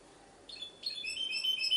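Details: Goldfinch hybrid, Ksar el Kebir, opening with two brief high chirps before breaking into a quick, thin twittering phrase that gains strength.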